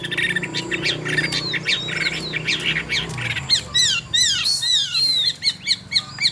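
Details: Caged Chinese hwamei in Vietnam, described as singing well. Busy overlapping chatter and whistles fill the first half, followed by several bright, downslurred whistled phrases and short loud notes.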